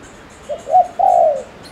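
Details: Spotted dove decoy bird from Ninh Thuận, Vietnam, cooing fast to provoke males: one three-part phrase, a short low note, a higher note, then a longer drawn-out falling coo.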